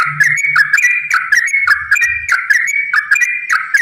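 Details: Yellow-vented bulbul lure song, long and rapid, meant to trigger other bulbuls to sing: clear, bubbling notes strung in rolling phrases, with faint low thumps in the background.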